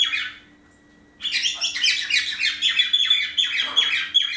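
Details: Indoor pet parrots in the morning as females dote on a bandaged, broken-winged male; a short harsh chirp, a second of quiet, then a jumbled burst of overlapping rasping descending calls.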